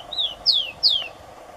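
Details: Song of a Rufous-collared sparrow (Zonotrichia capensis) from Brazil: three loud, clear whistles, each falling steeply in pitch, evenly spaced under half a second apart, over a soft constant hum.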